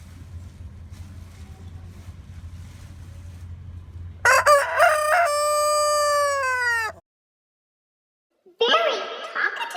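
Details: Quiet farmyard hum, then a rooster lets out a long crow with a stuttered start and a slowly falling held note, a brief silence, and the start of another crow.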